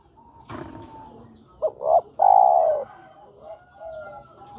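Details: Spotted dove calling a female, its voice used as a lure for birds, giving one phrase of short rising coos that ends in a long, loud, slightly falling coo. A faint sharp knock comes earlier, with soft background hiss.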